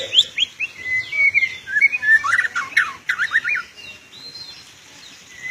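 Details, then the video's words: Captive white-rumped shama, a songbird kept for singing contests, delivering a full international-champion style song: rapid varied whistled phrases, sweeping up and down with trills and chattering notes, in a continuous stream. "Full Isian Juara Internasional Burung KACER Gacor"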